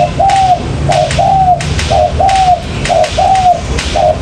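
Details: Spotted dove lure call for trapping: clear mid-pitched coo phrases, a short note then a longer slurred falling one, repeated about once a second, with faint clicks and low background noise.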